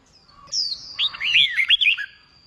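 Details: Freshly caught red-whiskered bulbul in contest-song training, starting with a thin high slide, then a fast warbled string of looping whistled notes.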